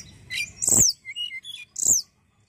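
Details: A juvenile Tledekan's song, used to prompt other birds into singing: two strong, very high, downslurred chirps separated by short, thin, mid-high twitters, in a quiet setting.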